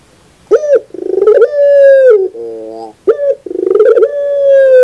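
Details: Barbary dove cooing loudly in a training recording. A sharp opening note leads into a pulsing build-up and a sustained steady coo that dips at the end. Soft low notes follow before the phrase starts again.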